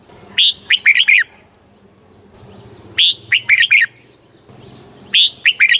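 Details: A caged red-whiskered bulbul from Thailand delivers southern master-phrase song meant to excite and teach young bulbuls. Three crisp phrases of five or six chirpy, falling whistles arrive about two and a half seconds apart over a faint low hum.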